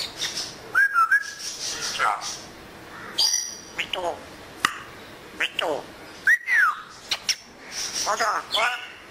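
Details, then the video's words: Pet African grey parrot, enjoying the weather and talking in Urdu and Pashto, mixes speech-like mimicked words with sliding whistles and squeaky chirps, each lasting under a second, separated by short pauses. "Talking African Congo Gray Parrot - Urdu & Pashto"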